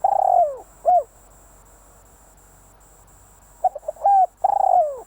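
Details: Spotted dove calling as a decoy bird for luring: a mellow coo phrase of quick stuttered notes, a long rolling coo sliding downward, then a short rising-falling closing coo, with pauses of several seconds between phrases.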